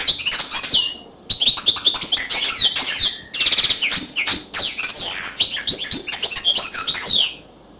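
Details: A yellow canary pours out a long, rich song of rapid chattering trills, rolling rattles and sharp downslurred whistles, almost unbroken for seven seconds before falling silent.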